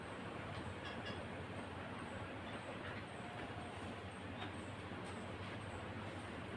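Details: Steady rumble of a passing train with clattering wheels and broadband rail noise throughout, no animal voices heard.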